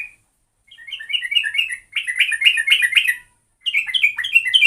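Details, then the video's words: Lure recording of a sooty-headed bulbul: lively, tumbling phrases of quick rising and falling notes. The phrases come in three bursts split by brief silences. "Pancingan burung trucuk"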